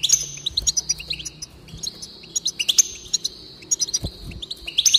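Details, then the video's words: Goldfinch singing to encourage another goldfinch to sing: a fast, high, tinkling twitter of sharp chirps strung into runs, with sustained buzzy trills recurring every second or so over a quiet background. "increase the enthusiasm of the goldfinch and encourage it to song"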